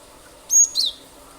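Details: Single brief phrase of a cinereous tit lure song, played to make other birds sing: a flat, piercing high whistle followed by a lower, down-slurred chirp, lasting about half a second.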